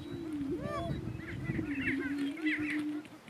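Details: Greater prairie chicken males contesting dominance on a lek, northeast Kansas. A sustained low moaning tone holds for three seconds while high arched whoops and squeaky cackles break over it, then fades to quiet.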